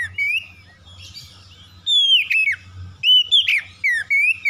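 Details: Song of an oriental magpie-robin played to make birds sing aggressively: clear sweet whistles sliding down and up, interleaved with sharper harsh notes, in short loud bursts separated by brief pauses, with a faint low hum in the background.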